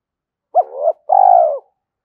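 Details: Spotted dove cooing, a call meant to provoke wild doves quickly: one short rising note, then a long, low, throbbing coo. Quiet background.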